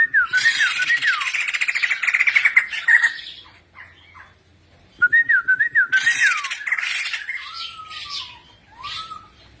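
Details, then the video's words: White-crested laughingthrush in an aviary, singing vigorously. Two bursts of harsh squawking chatter mixed with gliding whistled notes, separated by a brief quiet pause. Softer rising whistles follow near the end. "poksay jambul gacor"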